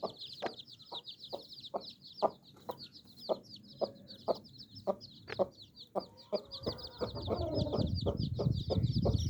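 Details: Hen with her nine baby chicks: steady, evenly spaced low clucks about three per second over continuous high chick peeping, with louder rustling and low rumbling noise building near the end.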